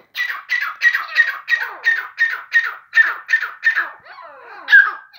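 A grey francolin gives a quick series of about ten harsh, rasping notes, roughly three per second, then a short pause and one more loud note.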